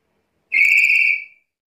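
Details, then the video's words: A black-capped lory, a Papuan lory, calling actively gives a single shrill, drawn-out screech lasting just under a second, high and steady with a slightly rough, ringing edge. "Suara burung nuri kepala hitam gacor"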